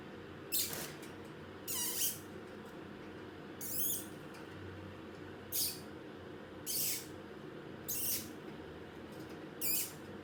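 A parrot gives harsh, hissy, high chirps in short bursts, about one every second or so, over a low steady background hum.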